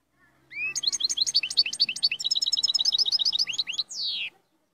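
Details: European goldfinch singing with strong, vigorous delivery: a rapid run of sharp, twittering chirps sweeping upward, then a quicker stretch of tinkling notes, ending in a brief harsh buzzy note after about four seconds of song.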